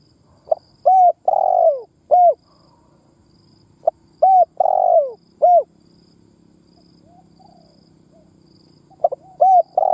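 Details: Spotted dove as a lure for caged doves, giving full phrases: a short note, an arched coo, a long harsh coo sliding down, then a clipped ending coo. The phrase repeats about every four seconds over a faint low background hum.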